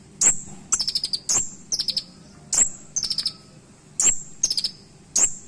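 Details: High, piercing song of a kolibri ninja, Van Hasselt's sunbird, in a sharp 'isian' style with mimicked phrases: abrupt clicks with a drawn thin whistle, then rattling runs of rapid high notes, alternating steadily against faint low background hum.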